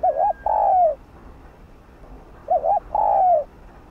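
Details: Spotted dove, a rice-field and village bird, giving its call used to prompt decoy birds to call: a wobbling two-part coo followed by a drawn-out descending coo, repeated twice roughly two seconds apart, background otherwise quiet.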